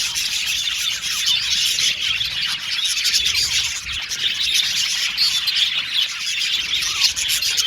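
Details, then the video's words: Australian budgerigars singing and chirping happily in a group: constant high twittering with quick whistled notes and chatter layered densely, clearer individual tweets popping out now and then. "Beautiful Cute Budgies Chirping Sound | Australian budgies Singing sound"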